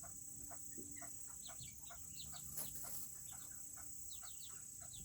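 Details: Several Serama chickens chatter in a coop on a cooler day, giving quick, high, slurred peeps in loose bursts, set against a steady hiss and a thin high-pitched whine.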